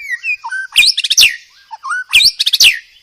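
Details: White-rumped shama master song used for training cage birds, with many varied phrases: low whistled slurs and short notes alternating with loud bursts of rapid, sharp chattering trills, repeated twice.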